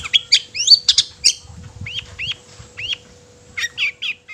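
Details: Long-tailed shrike singing to agitate other shrikes: an opening cluster of harsh, buzzy notes, then spaced rising whistled upslurs, closing with three quick chattered phrases over a faint hum.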